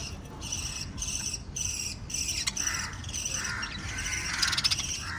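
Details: Five lovebirds chirping: rhythmic buzzy, rasping bursts in the first half, then overlapping lower chattering notes join and build louder near the end.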